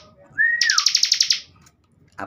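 A Bar-winged Prinia gives a short whistled lead-in followed by a fast run of about nine high, sharp notes lasting under a second.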